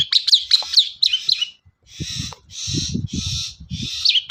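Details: Long-tailed shrike lure song meant to prompt other shrikes: quick high chirps and twitters, followed by broad hissing, harsh bursts with low thumping noise.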